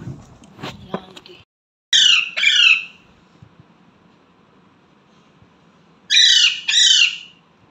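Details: A pet Indian ringneck parakeet gives two bursts of raspy, high-pitched two-syllable talk, like mimicked words such as "mummy" or "papa", about four seconds apart.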